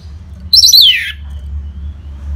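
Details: Orange-headed thrush, a caged bird singing in the clear ngeplong style used as a lure to set other birds singing: one loud, slurred whistled phrase that drops in pitch, then quiet with a low hum.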